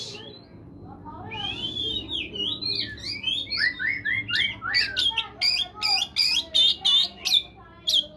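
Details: Morning Oriental magpie-robin song used to coax caged birds into singing. Varied whistled, warbling phrases build into a fast run of sharp, loud, repeated notes about twice a second, with a low murmur underneath.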